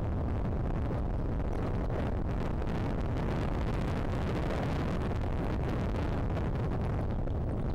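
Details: Continuous low, rumbling wind noise blowing across the microphone for the whole stretch, with no animal voice present.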